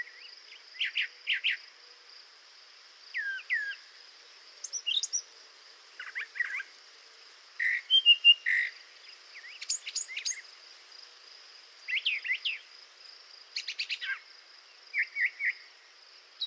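A Brown Thrasher sings a rich string of varied, rapid phrases, none of them repeated, over a steady insect drone.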